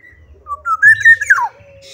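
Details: Black-naped oriole in lively singing form: a loud fluting whistled phrase of rising notes that level off, then a sharp downward slur at the end, over a faint low hum.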